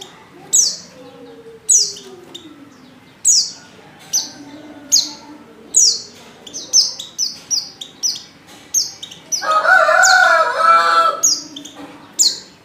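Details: Female white-eye in heat calling a male: thin, high downslurred chirps repeated roughly every second, with a loud harsh crowing-like burst from another bird near the end.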